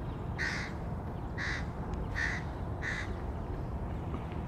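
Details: Four rough, grating caws from a crow feeding young, spaced about a second apart, each short and hoarse, with a constant low background hum.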